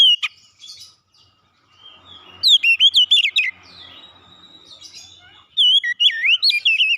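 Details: Oriental magpie-robin giving two bursts of bright, looping whistles and sharp chirps separated by a quiet stretch with faint low hum.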